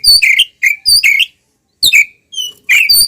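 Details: Oriental magpie-robin in ngeplong fighting song with its tail spread: short groups of fluty, slurred whistles separated by clear pauses, each phrase two or three notes long.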